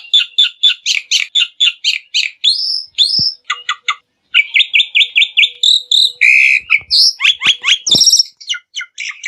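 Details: A Black-winged myna's song used to coax other birds into singing: long, busy stream of repeated chattering notes mixed with rising whistles and squeaky slurs, with a short pause midway.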